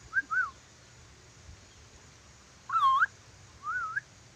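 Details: Lory from Sulawesi whistling: short wavy whistled notes, a pause, then a louder looping whistle followed by a last rising undulating note, set against a faint low background hum.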